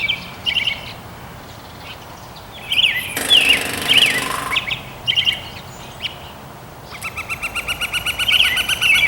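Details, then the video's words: Northern Flicker drumming on a metal roof vent, apparently to attract a mate: one rapid, ringing metallic roll of about a second, between high, short chirping calls of other birds outdoors. "Woodpecker pecking my metal vent!"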